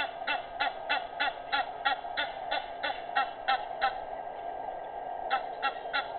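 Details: Egyptian geese recorded at 06:25 on 05/18/19, alongside hadeda ibis; rapid series of harsh, nasal honks repeated about three times a second, pausing briefly near the end before resuming.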